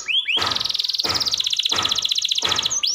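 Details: Caged canary used to coax reluctant canaries to sing: a long high rapid roll framed by rising whistles, with loud thumping noises at regular intervals behind it.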